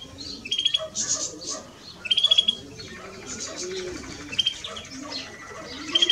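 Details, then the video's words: Male and female greenfinch twittering, with bursts of rapid high notes every second or two and a thin rattling trill in the middle, plus distant low coos. "Male and Female of Greenfinch - Cantec de Florinte"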